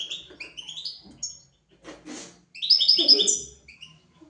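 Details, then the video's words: Goldfinch twittering from a lesson recording for goldfinches and canaries: scattered rising chirps, a soft rushing burst, then a louder rapid trill of high notes over lower buzzy tones. "تغريد طائر الحسون حفاضة لتعليم طيور الحسون والكناري"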